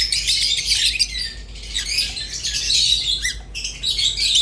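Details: Caged rosy-faced and Fischer's lovebirds giving harsh, squawky chatter mixed with thin high chirps and short rising squeaks, a steady overlapping stream from several birds.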